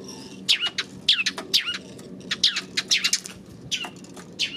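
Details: Sparrows calling on 28 May: loud, sharp chirps sweeping down in pitch, given singly and in quick bursts, some overlapping, with a faint low hum beneath.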